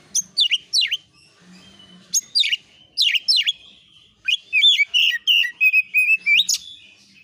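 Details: Oriental magpie-robin song meant to trigger replies: loud downslurred whistles in pairs and triplets, pauses with faint low humming, then a rich warbling sequence of clear varied notes.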